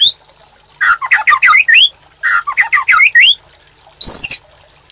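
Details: Caged white-rumped shama master song: two short bursts of harsh, tumbling warbled notes, each ending in a rising whistle, followed by a single sharp squawk-like call.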